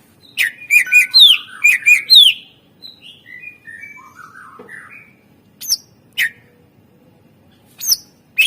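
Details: Greater green leafbird song for prompting other birds to sing: rapid, bright whistled notes with upward sweeping flourishes, then softer descending warbled phrases and a few isolated sharp whistles.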